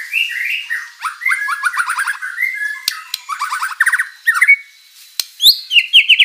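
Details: White-rumped shama in full song, loaded with mimicked material, used as a lure for other birds: rattling runs of short descending notes, clear whistled slurs and a high rising phrase at the close.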